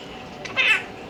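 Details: A 5-month-old pet Quaker (monk) parakeet that repeats everything gives one brief, bright, nasal syllable of mimicked speech, high-pitched and slightly wavering, amid phrases like "no bite" and "come here" used to call the dog.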